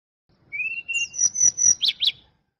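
Hill Blue Flycatcher singing a brief, sweet phrase: a thin rising whistle, a run of higher clear notes, then two quick slurred chirps to finish.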